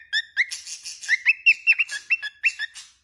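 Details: Pet cockatiel whistling a tune of quick upslurred and dipping notes, each bright and clear, strung closely together with some harsher breathy noise mixed in.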